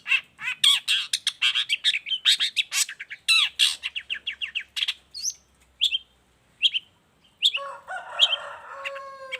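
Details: A long-tailed shrike's rapid, lively song, used as a master model and to lure other shrikes: a fast run of sharp buzzy chips, then separate clear whistles, ending over a lower steady whistled tone.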